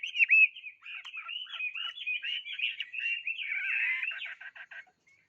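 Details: Bird sings a fast jumble of whistled and chattered notes, finishing with a harsh burst and several short rapid clicks.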